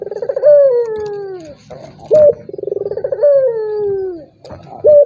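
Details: To provoke a rival dove that rarely calls, a turtle dove repeats its phrase: a rolled, stuttering trill rising into a long gliding coo that falls away, each followed by a short sharp high note. Faint low hum behind.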